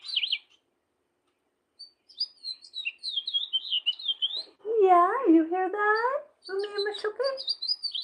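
House finch song: a high, rambling warble of quick twittering notes. A man's voice talks over the second half.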